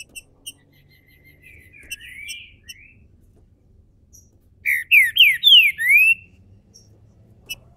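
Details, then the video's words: ['Caged green-winged saltator in Brazil building up to its main song: scattered clicks and a quiet run of soft whistles, then a loud phrase of five clear, swooping whistled notes.'] "trinca ferro MULEKE, abrindo canto... canto principal!!!"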